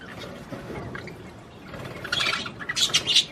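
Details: Budgerigar song meant to stimulate mating: low murmur at first, then loud shrill squeaky chatter and sharp clicks in the final second and a half.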